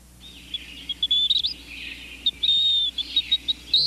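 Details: Say's phoebe (Sayornis saya) call: thin, high whistled notes, short and slightly slurred, several in quick succession over a steady background hiss.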